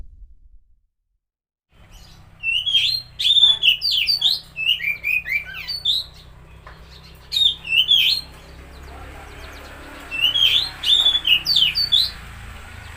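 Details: Kacer, the Oriental magpie-robin, singing to coax a silent or stressed bird: bursts of sharp whistled and twisting notes after a quiet start, grouped in short phrases with gaps, over a faint steady hum.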